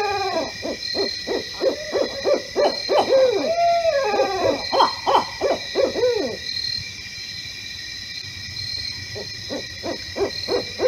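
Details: A Barred Owl in a neighborhood in Poughkeepsie, New York, recorded in the middle of the night in autumn 2018, giving a rapid run of deep hoots with drawn-out, sliding notes for about six seconds, then a few softer hoots; steady night insect drone behind.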